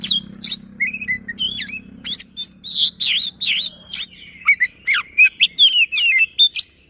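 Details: Fast, dense song of a magpie-robin in a persistent rolling style, used as a lure for non-singing magpie-robins. Sharp slurred whistles and chatter lead into a series of clear, evenly spaced wavering whistles, with a low hum in the background.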